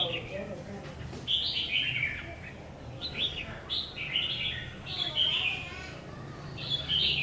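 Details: Red-whiskered bulbul kept as a new decoy, being tested: a string of bright, high warbled phrases repeated every second or so, cheerful and fluty, with faint low background noise.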